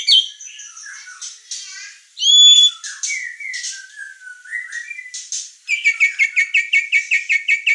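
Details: White-rumped shama in energetic song used as a training master recording: varied whistles and slurred notes, a clear pure whistle near the third second, then a fast run of repeated chattering notes about four per second.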